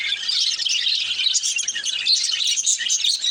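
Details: Continuous high, thin warbling and chirping from a baby budgerigar, even in loudness throughout with no breaks.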